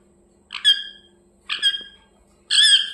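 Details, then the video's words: Pet parrot indoors giving three loud harsh squawking chirps, each about half a second, evenly spaced in a quiet room. "Parrot chirping sounds"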